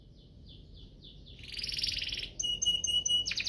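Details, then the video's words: Canary lure song for prompting other canaries to sing: faint soft notes at first, then a buzzy rattle and clear level whistled tones, over a background hiss. "Pancingan kenari biar gacor"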